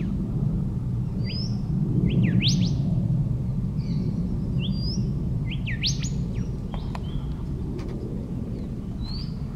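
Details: Golden whistler in Daisy Forest, Queensland, Australia, singing clear whistled notes that end in a sharp, rising whip-crack, with the phrase given twice over a steady low rumble.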